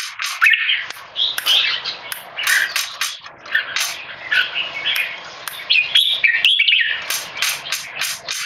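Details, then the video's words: Tame caged male red-whiskered bulbul, Singapore-bred, giving loud keke calls while stressed by human disturbance in a training test: harsh chattering bursts, irregular and rapid, with sharp clicking knocks and rustling between phrases. "นกหัวจุก JAMBUL- Virgo - Tame - Loud Clear Keke Training Test"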